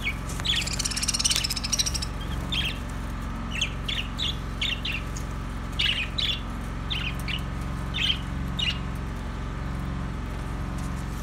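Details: Budgerigar chatter that opens with a fast buzzy warble, then gives way to a run of short, bright chirps at uneven intervals, with a steady low hum underneath.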